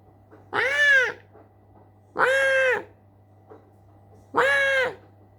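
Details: Pet Alexandrine parakeet at home, showing how loud it can get: three harsh, rich squawks about half a second each, repeated roughly every two seconds, with a faint steady electrical hum behind.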